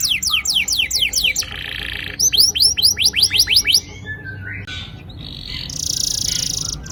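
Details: Canary song played to stimulate young canaries: rapid high trills, a buzzy burst, another run of falling notes, then softer twittering and a final buzzy tour.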